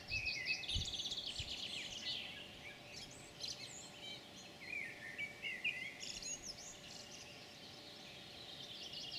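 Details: European pied flycatcher singing, recorded 9 June 2019: a dense, rapid phrase of high, sweet twittering notes at the start, quieter scattered chirps, then a second bright phrase near the end, over steady low background hum.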